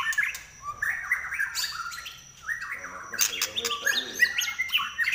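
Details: White-rumped shama singing in the shrill nyelit style: a varied run of clear whistled phrases, slurred rising and falling notes with sharp high accents, pausing briefly midway before a fresh burst of rich, changing whistles.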